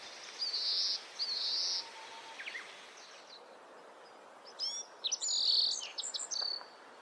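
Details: Breeding-season male Oriental greenfinch in a Hokkaido neighbourhood, Japan, filmed on a Nikon COOLPIX P950, gives two high buzzy drawn notes, then quick twittering chirps and another buzzy trilled note over soft background hiss.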